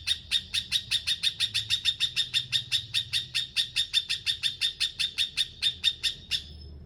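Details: Bulbul singing a fast, steady series of identical sharp chip notes, roughly three each second, at a constant pitch for over six seconds before stopping abruptly.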